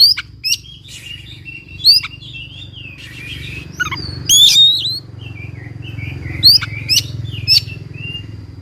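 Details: Oriental magpie-robin singing, played to coax a silent bird into song. Clear whistled notes mixed with sharp, fast up-and-down sweeps recur every second or so above a constant low droning hum.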